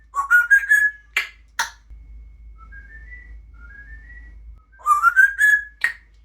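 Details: Pet female grey parrot kept indoors, mimicking speech and making silly noises: rising whistled note sequences climbing in steps, sharp clicks, and a soft stepped whistled phrase in between, with a low hum underneath.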